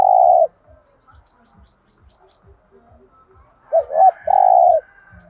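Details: Spotted dove cooing aimed at making other doves call: a long coo ending, then a pause with faint high chirps, followed by a wavering double note and a long steady coo over soft rhythmic low ticks.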